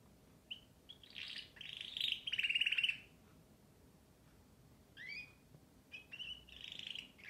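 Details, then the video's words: Canary song in bursts: a buzzy rapid trill, then silence, followed by upswept whistles and a rolling warble at the end. "śpiew kanarka"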